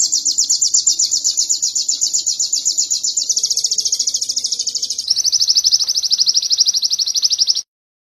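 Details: Canary song material recorded for training other songbirds: a long, very high, fast rolling trill of evenly pulsed notes that shifts to a slightly lower trill after about five seconds, then stops abruptly.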